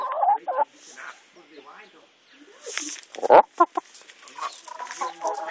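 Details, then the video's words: Chickens answering a person who talks to them, giving short clucks and a sudden loud squawking burst midway, with quieter clucking and the person's voice in between. "Talking to the chickens"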